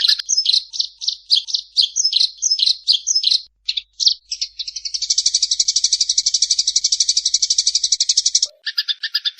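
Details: Eurasian tree sparrows calling while fighting: rapid high chirps in short bursts, then a long dense buzzy chattering trill held for about four seconds, followed by more quick chirps.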